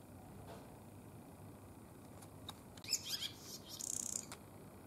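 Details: Winter barn swallow, a male inviting a female to the nest, in a cold region, February 2020. After near silence, a short burst of high twitters, then a dry buzzy rattle.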